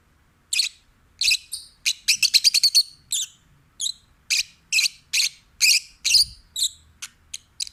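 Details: Pet peach-faced lovebird, a rescued stray, singing in a relaxed, happy mood: a steady string of shrill, high chirps, some in rapid bursts, about two per second, in a quiet room.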